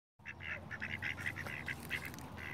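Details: Ducks quacking in a fast, steady series of short nasal quacks, roughly ten within under three seconds, with a low rumbling background throughout.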